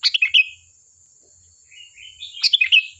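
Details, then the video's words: Sooty-headed bulbul singing energetically, intended to coax other birds into answering: a quick bubbly phrase, then soft rising warbled notes leading into a second louder chirpy burst, over a steady high hum. "Suara burung Kutilang Gacor || Ampuh untuk pancingan, dijamin nyaut"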